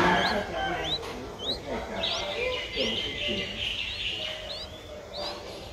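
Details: Nestling streak-eared bulbul aged seven days, eyes just opened, Ubon Ratchathani, Thailand, 9 April 2023; steady run of high rising chirps about twice a second over a broad rustling background.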